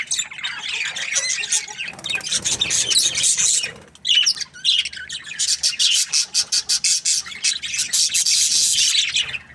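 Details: Budgerigar chirping inside an aviary, continuous scratchy warbling chatter, then a run of rapid pulsed chirps about four per second before the dense warbling resumes.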